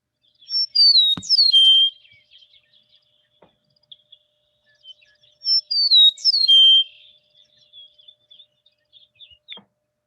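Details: Eastern meadowlark (Sturnella magna) song: two clear, slurred whistled phrases sliding downward from high notes, about five seconds apart, with near silence between.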